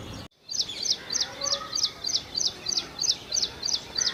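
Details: Ashy prinia song, a steady string of about twelve high, clipped, piercing notes repeated roughly three times a second after a brief silent gap at the start, with a faint hiss underneath.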